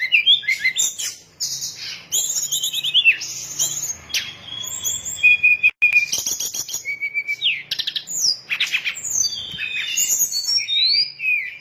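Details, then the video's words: Sooty-headed bulbul lure song meant to make birds swoop in; a dense, continuous run of varied chirps, trills and clear whistled notes with few pauses. "SUARA PIKAT BURUNG SRDC"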